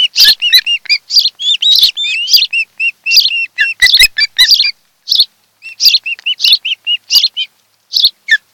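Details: Mated osprey pair at their Kent Island, Maryland nest, nest-camera audio from a July 2018 afternoon: rapid series of shrill whistled chirps, dense at first, then a pause and evenly repeated short piping notes.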